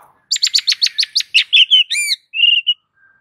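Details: White-rumped shama, raging fighting song used as a training master: rapid series of about ten sharp, evenly spaced high notes, then ringing harmonic whistles and a short buzzy trill, ending in silence.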